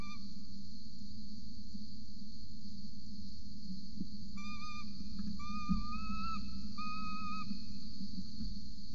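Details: Peregrine falcon nest in Orange, Australia, recorded by a nest camera at 8:07 am, 26 November 2020, adult feeding a chick: quiet opening, then from mid-clip several sliding, slightly rising whistled calls with harmonics over a low hum.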